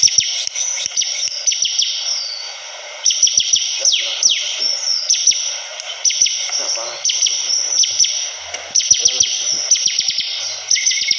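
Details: Long stretch of persistent Bar-winged prinia song: repeated bursts of rapid high twittering and clicks, separated by brief gaps, with sweeping falling notes over a steady high hiss.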